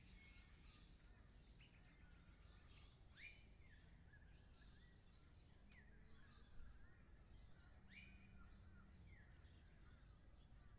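Lorikeets give scattered shrill, down-slurred screeches every second or two, some overlapping, over a steady low rumble of wind or distant traffic.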